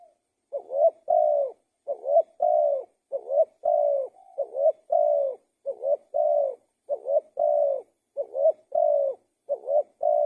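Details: Spotted dove cooing. About eight three-part phrases in steady succession: a short low note, a swelling rising coo, then a longer level coo. Each phrase repeats roughly every 1.3 seconds against a quiet, clean background.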